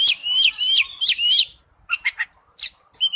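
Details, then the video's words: Oriental magpie-robin in forest-voice song, opening with three rich warbled phrases, then a pause and a few sharp clipped notes. "Chim chích chòe than hót giọng rừng"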